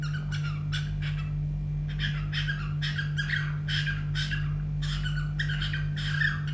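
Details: Pet cockatiel singing at home: harsh, buzzy chirps and squawky bursts in quick clusters, repeated steadily throughout, over a constant low electrical hum.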